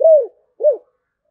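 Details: Spotted dove of the thổ bầu voice type giving two soft arched coos, the first longer and gently falling, the second shorter, separated by a brief silence.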